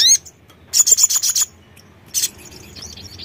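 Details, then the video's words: Sogon producing a short, fast series of thin high chirps in a rattling burst, followed by one more sharp note and faint twittering. "TERAPI BUNYI SOGON"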